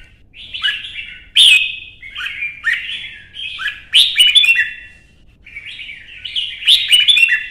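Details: Red-whiskered bulbul in a competitive singing duel: phrases of chirpy, whistled warbling come in separate bursts about every two to three seconds, each opening with a sharp emphatic note, with short silences between.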